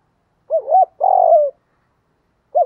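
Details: Spotted dove decoy, male and female birds kept for luring wild doves, giving the thúc and gáy calls: a quick two-humped coo followed by a long, smooth, falling coo, then another phrase beginning; quiet background.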